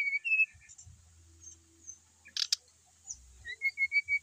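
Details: Quieter singing by a caged brown-chested jungle flycatcher from Bali: soft whistled notes and a short run of repeated clear whistles near the end, over a low hum and a sharp tapping noise.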